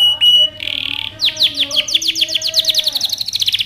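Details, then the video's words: Canary training song: a clear whistle and buzzy rattle, then a series of quick downward-sweeping notes, with faint low sustained tones underneath. "canary training song"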